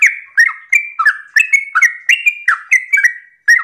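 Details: Continuous chattering whistles from a sooty-headed bulbul in the morning, a rapid 'ropel' run of about ten warbling notes with a brief gap near the end, sung to get other bulbuls answering.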